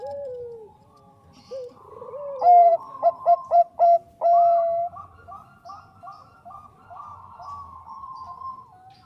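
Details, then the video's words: Bangkok zebra dove singing, recorded as a lure. A downslurred coo opens, then a burst of quick, loud, clipped notes and a long held tone. Quieter overlapping cooing trills follow. "SUARA PERKUTUT BANGKOK GACOR AMPUH UNTUK PANCINGAN"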